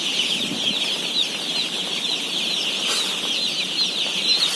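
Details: Crowded day-old chicks of a 17,000-bird flock during feeding: a constant high-pitched mass of peeps, with one brief knock near the middle.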